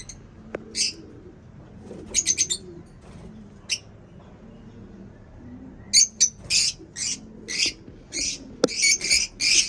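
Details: Caged lovebirds chirp in scattered bursts: a single short note, a quick triple chirp, then a quiet stretch before a closer run of sharp high chirps near the end, over soft background rustle.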